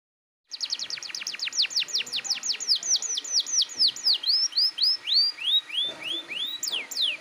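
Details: Persistent, vigorous canary song played to coax young birds into singing: after a brief silence, a long string of sharp descending whistled notes around four per second, slowing into looping rising-and-falling phrases.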